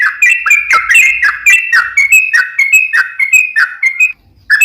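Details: Singing yellow-vented bulbul, 'ropel panjang' style, used as a lure for other bulbuls. A steady stream of bubbly, slurred chirps comes at about three per second, ending in a brief pause.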